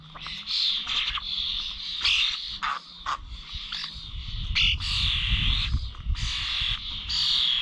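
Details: At Corby Old Village bird feeders on 21 November 2023, starlings utter rasping, hissing squawks and a few lower croaky notes, nearly continuous, with rumbling low background noise in the second half.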